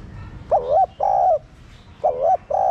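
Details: Captive spotted dove cooing to get caged doves calling: two quick pairs of low mellow coos, a bending first note and a level second, loud and close.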